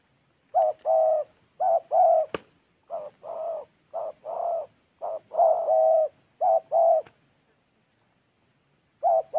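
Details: Spotted dove decoy bird recorded in Gia Lai, Vietnam, repeating deep, soft two-note coos in a steady run, with one sharp click near the start and silence toward the end.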